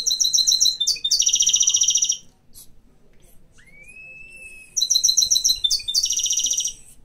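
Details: Mixed canary, a household pet, delivers bursts of rapid high trills and chattering rolls, pauses while a single long whistled note rises and levels off, then resumes the buzzy rolled phrases.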